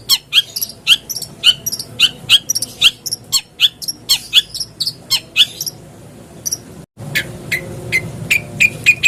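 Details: Long-tailed shrike lure recording meant to get caged birds singing: loud, clipped chattering notes repeated in a steady, rapid series, a brief gap, then softer, thinner notes spaced more widely.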